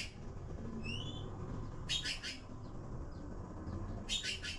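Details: Blue magpie chicks waiting for food give two raspy three-note bursts. Between them come a couple of soft whistled notes over low background noise.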